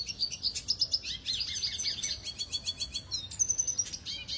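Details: A Venezuelan red siskin sings a rapid, high twittering song of bright trills and buzzy chatter during training, with a sustained whistled note near the end.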